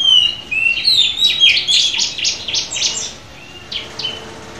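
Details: Oriental magpie-robin offered at auction, taped around midday, singing a bright whistled phrase that turns into a quick series of repeated high buzzy notes, then fades to a few scattered chirps.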